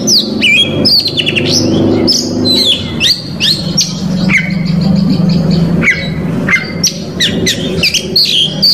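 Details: Oriental magpie-robin delivering a full song of mixed phrases meant to provoke rival males. Fast sequences of piercing whistles, down-slurred notes and twittering bursts over a constant low hum.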